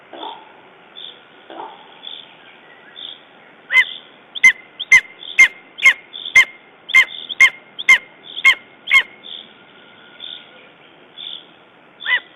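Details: Lesser spotted eagle at the nest in Estonia, 14 June 2011, following a raven attack. Softer spaced notes build into a run of about ten loud, sharp yelps at half-second intervals, then fade back to quieter calls.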